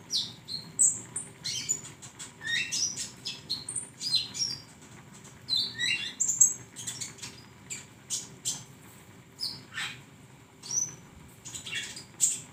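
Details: Flowerpecker used as a songbird training recording, sending out scattered high, sharp chips and squeaky twitters, some in quick doublets, over twelve seconds with uneven spacing and a faint low hum behind.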